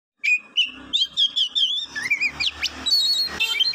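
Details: Songbird singing a continuous warbling stream of whistled notes that rise and fall, phrases flowing into one another, with a quick upward sweep close to the end.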